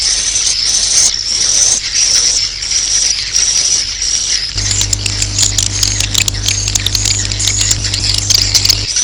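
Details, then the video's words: Roosting call of swiftlets, meant to attract them: a thin, high, wavering twitter at first, then a busier stretch of rapid clicks and shrill chirps over a steady low hum. "Suara Walet Inap"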